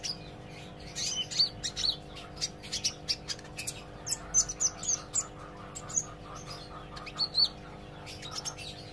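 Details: Olive-backed sunbird learning to sing, giving a long irregular stream of high, thin chirps and sharp slurred whistles, some in quick pairs, continuing for nine seconds above a low electrical hum.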